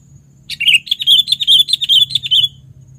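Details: Sooty-headed bulbul lure recording: a brisk two-second phrase of about a dozen clear, liquid, evenly paced notes, bright and chattering, with a faint low hum in the background.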